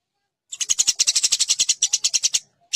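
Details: Eurasian tree sparrow fighting call for training competition birds: after a brief silence, a two-second run of rapid, loud, raspy chirps, closing with a single extra note.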